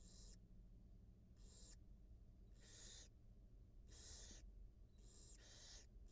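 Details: Live-cam barn owl nest where a wild mother feeds two new hatchlings; about seven rasping hiss bursts of varying length, loudest in the middle, with a constant low mechanical hum underneath.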